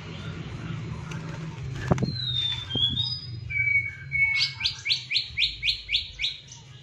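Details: Green leafbird (cucak ijo) in tembakan style, meant to stir silent leafbirds to sing: a few thin sliding whistles, then about nine quick upward-flicked notes, over a steady low hum of background noise.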